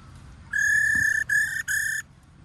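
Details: Female white-cheeked laughingthrush in a short 'ro' burst: one held buzzy tone, then two quick repeats of the same flat, rich note, with light low hum behind.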